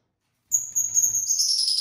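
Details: Lovebirds kept as pets, a mixed-colour flock of six: after silence, a sustained piercing, whistled high shriek that grows harsher and more chattering towards the end.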